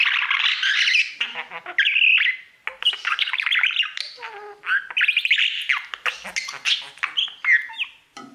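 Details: Pet budgerigar, a male, singing to its mirror indoors: a continuous chattering warble of rapid buzzy notes, clicks and short whistles, mostly high-pitched, with brief pauses between bursts.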